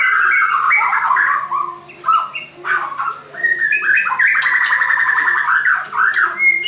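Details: Varied song of a white-crowned shama: tumbling whistles and chatter, a rapid rattled trill in the second half, continuous and loud, with a faint background hum.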